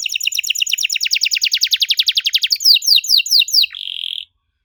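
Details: Canary singing a strange song to draw answers from young canaries: a fast rolling trill of sharp downward chirps, slowing into a few separate falling notes, then a short flat buzzy trill before silence.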